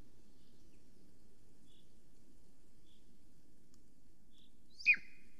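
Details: Golden Eagle female calling as she flies around her nest in Estonia, caught by a live nest camera at 9:53 am on 13 July 2020. After quiet background hiss comes one sharp, high, steeply falling call near the end.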